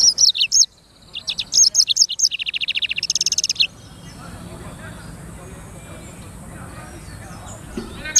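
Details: Black-throated canary, known as sanger, giving high chirps then a long, fast, buzzy trill of evenly repeated notes lasting over two seconds, followed by several seconds of quiet background hiss.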